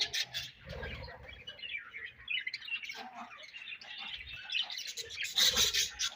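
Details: Budgerigars chirping together in a colony: dense, overlapping high chirps and scratchy warbles with no pauses, swelling into a louder, brighter burst of chatter near the end.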